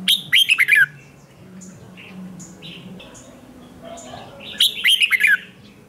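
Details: Red-whiskered bulbul trained for morning fighting song, Vietnamese 'ché' style, caged bird. Two loud, fast phrases of slurred whistles bracket quieter scattered notes from other bulbuls, with faint low hum.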